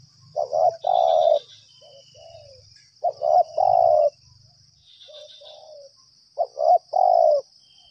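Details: Spotted dove answering a lure, calling nonstop: three phrases of low, rough coos, each a short note or two leading to a longer drawn coo, spaced about two seconds apart, with a soft low rumble.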